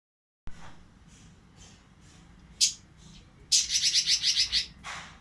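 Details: Oriental magpie-robin in breeding condition, singing in short bursts of rapid, high chirping notes, with one dense trill of repeated sharp notes near the end and fainter scattered calls between quiet gaps.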